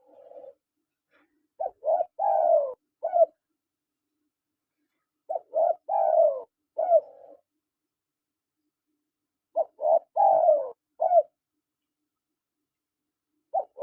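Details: Male and female spotted doves calling: three rounds of soft cooing phrases, each a quick run of short low coos ending in a longer falling note, repeated about every four seconds against quiet surroundings.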